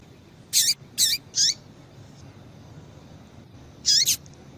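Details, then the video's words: Female double-collared seedeater call, used to warm up males and make them sing: three short, harsh, downward-sweeping chirps about half a second apart, a pause, then a quick double chirp, over faint steady background hiss. "Piado de Fêmea de Coleiro"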